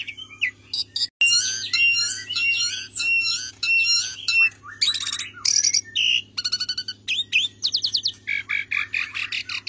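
A Javan pied starling sings a rich, varied medley of harsh chatters, squeaky whistles and rapid buzzy trills, over a steady low electrical hum.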